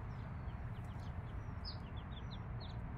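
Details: Five-day-old chicks with the mother hen: a quick run of high, falling peeps, several in a row near the end, over a low background hum.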